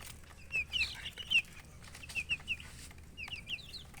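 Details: Colored baby chickens peep in short, high downward-sliding chirps, given in loose clusters with pauses between them, over a low background hum.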